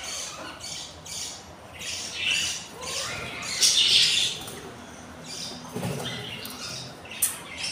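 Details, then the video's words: Hungry budgerigar chicks, three newly hatched from a clutch of eight eggs, on day four of a breeding nest: soft, scratchy high chirps come in uneven bursts, with a louder rasping squeak near the middle. "beautiful hungry chiks day 4"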